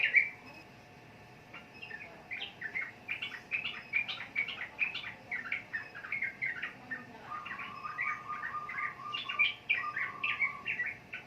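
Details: Sooty-headed bulbul: a soft, continuous string of quick warbled notes, joined midway by a lower, even whistled trill.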